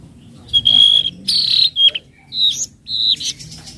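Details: Flowerpecker (tledekan laut) in a 'trotol' calling style, used as a lure for training young birds: high, thin whistled notes, one held steadily, then sharper buzzy chirps and short squeaky phrases in quick bursts over a faint low rumble.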